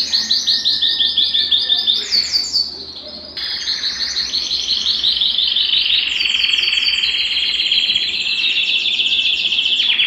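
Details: Belgian canary warm-up song to stimulate singing and bring females into breeding condition: rapid pulsed trills, a short pause, then long continuous rolling phrases in a high register.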